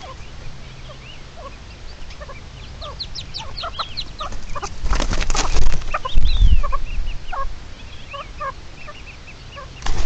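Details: Red-legged partridge defending its chicks on 29 May 2023: a rapid, uneven run of short high chirps and arched whistled notes, broken midway by a loud rustling, broadband burst, with a low steady hum beneath.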